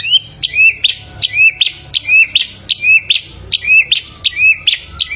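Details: Chinese hwamei (Garrulax canorus) song, though labelled a golden Samyong (bare-throated whistler) from Flores: a loud, clear whistled phrase repeated about twice a second, each a rising slur ending in sharp high notes.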